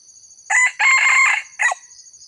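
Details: Red junglefowl giving a loud crow, meant to attract wild birds: a brief first syllable, a drawn-out hoarse middle section, and a short clipped ending. Faint high insect buzzing runs underneath.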